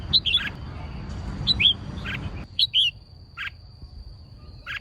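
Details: Female red-whiskered bulbul song meant to excite males. Short twisting whistled figures come in three groups, with brief buzzier notes after each, over a hissing background that drops away midway; a steady high whine persists.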